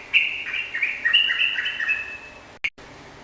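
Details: Lively sooty-headed bulbul song meant to make a kept bird sing in response; a quick cascade of liquid whistled notes lasting about two seconds, ending with a brief sharp click.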